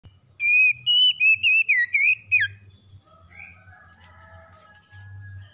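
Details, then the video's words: Magpie-robin morning song: a loud run of about eight clear, slurred whistles with rising and falling notes over two seconds, followed by softer, fainter whistled notes and a low background hum. "PEMULIHAN KACER SETRES DENGAN KICAUN PAGI CEPAT GACOR"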